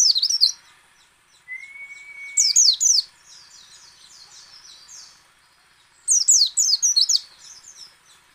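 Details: White-eye song of the ngecal, ngalas and nembak kinds, played to make other white-eyes sing: bright, tumbling twitter bursts about three seconds apart, with soft chattering between and one thin, level whistle.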